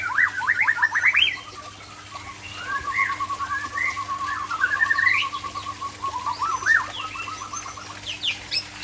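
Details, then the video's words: White-rumped shama of the Aceh type, singing in the late afternoon: varied rising whistles, quick stuttering runs of repeated notes, and sweeping slurred phrases at changing pitches, with a steady low hum underneath. "Murai Aceh"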